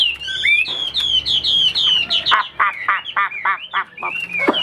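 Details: A Chinese hwamei, a fighting bird that spreads its wings in a tall posture, sings a rich, fast run of loud whistled and slurred phrases, then a rapid series of sharp, bright notes, all high and varied.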